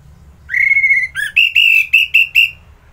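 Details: Orange-headed thrush singing a long, steady whistled note, a brief dip, then a run of five or six clipped, bright whistles that fade away.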